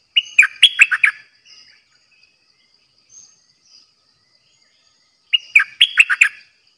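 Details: Trapping-decoy bulbul in a cage repeats a quick, liquid whistled phrase twice, roughly four seconds apart, with faint soft notes in the interval.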